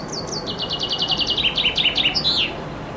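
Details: Summer song of a common chaffinch beneath a window, recorded with a compact camera from a loggia: a fast run of repeated bright notes, stepping down in pitch, closing with a sweeping terminal flourish.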